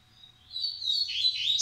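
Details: Short coleiro phrase from a breeding male of the Massai or baiano song type: a thin, steady whistle that rises into a louder, rapidly warbling ending.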